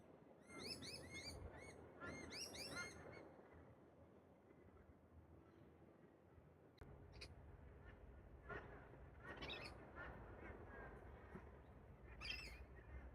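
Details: A wild pair of Galahs (rose-breasted cockatoos) in park trees during their pair-bonding ritual. Two bursts of harsh, screechy calls come in quick succession at the start, then give way to faint scattered notes over a low outdoor rumble.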